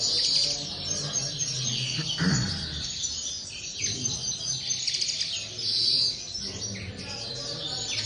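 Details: Linnets in an aviary pour out a lively high twitter, with bright chirps and fluttering trills and some low knocks and rustles beneath the chorus.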